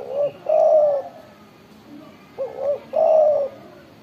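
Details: An actively singing spotted dove with a big voice gives deep, hollow coos, each phrase a short lead note and a longer rolling coo, heard twice in four seconds.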